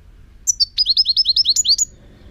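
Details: European goldfinch singing in 2018: two sharp opening chips followed by a fast string of ten rising, tinkling notes, about one second long, clean and close.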